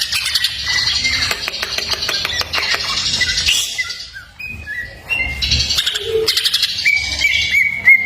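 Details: Masteran song of greater green leafbird with full fill-ins: rapid rattling trills and chips, then clear level whistled notes stepping up and down in pitch, ending in a sustained bright whistle amid soft twittering.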